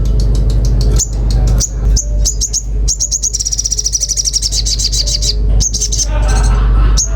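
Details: Common iora singing in a lively, prolific way, with sharp high chips and clipped notes, then a rapid, even high trill lasting about two seconds, followed by more scattered chips over a steady low hum.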